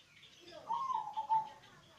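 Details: Local zebra dove with a deep, bassy voice, used as a lure to get reluctant doves singing: one rolling, pulsed cooing phrase of under a second that wavers and then falls slightly, over quiet background hiss.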